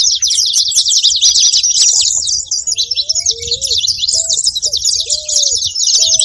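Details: Saffron finches calling noisily: steady, crowded high-pitched chirps throughout, joined midway by soft, level whistled notes at a lower pitch.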